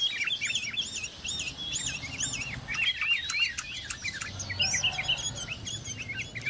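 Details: Sooty-headed bulbul, known locally as kutilang or cangkurileung, recorded around a home. Bubbly, looping phrases of short rising-and-falling notes repeat rapidly for several seconds, with other chirps overlapping.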